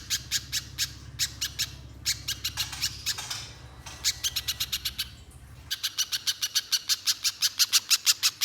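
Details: Pijantung pisang spiderhunter in continuous, nonstop song, used to lure other spiderhunters into singing long. Bursts of sharp, high chips repeat rapidly, with a brief hissing break midway, then a faster, very even run of notes.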